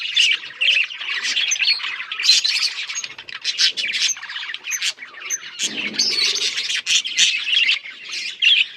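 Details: Chorus of breeding budgerigars: continuous high chattering warble made of many overlapping chirps and squeaks, with brief pauses and a soft lower rustle midway.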